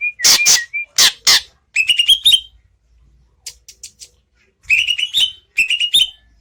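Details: Greater green leafbird in full song, opening with loud sharp broadband snaps, then rapid trilled clusters of high chirping, whistled notes in three or four bursts with short silent gaps.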